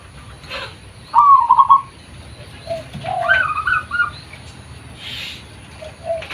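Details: Local zebra dove in a lure recording: a short trilled coo early on, followed by softer, uneven cooing fragments and a brief hiss of background noise near the end.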